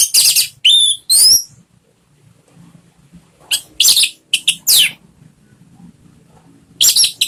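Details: Orange-headed thrush singing, a lure meant to prompt another kept bird to sing. Bright, buzzy, rapidly slurred high phrases come in bursts over a faint low rumble.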